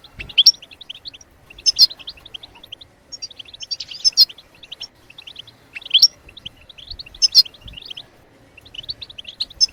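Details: A continuous European goldfinch bebtebat song for stimulating singing birds: tinkling, liquid twitters with a loud, buzzy, trilled phrase roughly every one to two seconds.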